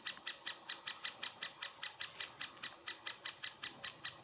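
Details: Summer 2017, great spotted woodpecker nest in Furuberget at Hamar, Norway, captured handheld on a Panasonic Lumix FZ2000: a steady series of about twenty grating, broadband calls in four seconds, evenly spaced.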